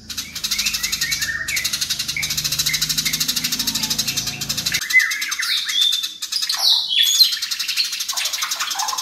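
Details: Fighting house sparrows produce a long, tight, rapid chattering rattle, loud and continuous, with sharp chirps and short sweeping notes over it and a low hum during the first half.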